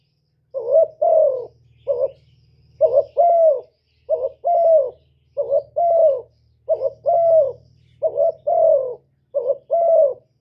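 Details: Spotted dove decoy repeating its gù coo song many times. It gives about eight rhythmic phrases of a clipped double note and a longer mellow falling coo, steady and unhurried, over a faint low droning hum.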